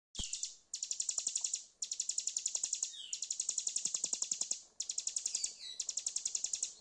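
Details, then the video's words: Prinia (ciblek gunung) song used as a lure to get a bird that has stopped singing to sing again: fast bursts of high, sharp, evenly repeated chip notes in long trills, broken by short pauses. "PANCINGAN AMPUH CIBLEK GUNUNG MACET BUNYI"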